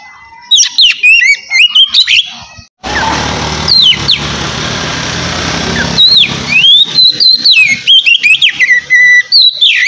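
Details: Oriental magpie-robin singing relaxed ngeplong song used to prompt lazy birds: quick high whistled notes and downslurs throughout, partly covered midway by a steady loud broadband rushing noise for several seconds.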